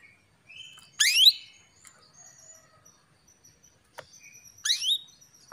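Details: Female Atlantic canary call meant to rouse a male into song: two loud, brief rising sweeps about four seconds apart, with faint thin whistles and soft chirps between them in an otherwise quiet setting.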